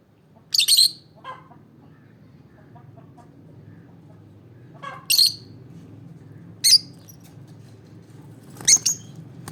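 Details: Olive peach-faced lovebird chirping: four loud, shrill, high-pitched bursts spaced a few seconds apart, some short ones doubled, with softer faint calls between them over a low steady hum.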